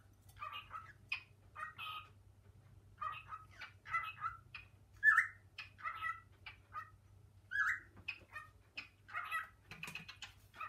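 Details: Pet male cockatiel indoors, exploring kitchen cabinets with its female partner and calling out for its mate; a run of short harsh chirps and rising squawks in quick irregular bursts over a steady low household hum.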